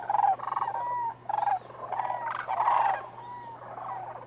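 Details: Sandhill cranes wintering in a huge flock at Whitewater Draw Wildlife Area, southern Arizona. Close, rolling, trilled calls come in short bursts, some clear and nearer, over a murmur of more distant cranes.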